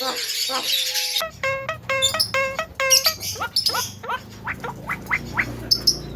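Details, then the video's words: Javan myna imitating speech: after a burst of music, a run of harsh, voice-like syllables with stacked tones, then a series of sharp rising chirps repeated about every half second. "JALAK KEBO VIRAL BURUNG BEO SAJA KALAH DENGAN SUARANYA"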